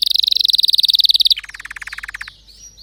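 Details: Canary giving a fast rolling trill of rapid pulses, which then drops to a lower, slower rattling tour before stopping.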